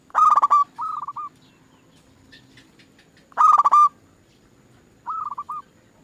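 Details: Zebra dove lure song to make other doves sing: loud bursts of rapid rolling coos about three seconds apart, each answered by a quieter phrase of short hooked notes.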